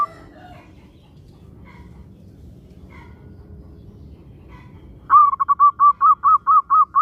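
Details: Local zebra dove whose song is used to prompt other doves to start singing: a long quiet stretch with faint notes, then a sudden run of about nine crisp, evenly paced coos.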